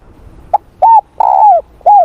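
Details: Spotted dove in morning voice training, giving one full cooing phrase: a quick soft note, then an arched coo, a long sliding coo and a closing down-curved coo, low and mellow.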